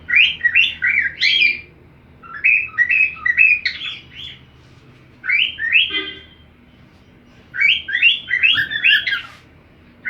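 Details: Cockatiel singing along to the song of another cockatiel: four bursts of quick warbled whistles, each phrase about one and a half seconds long with rising and falling notes, repeated roughly every two and a half seconds, with quiet pauses between.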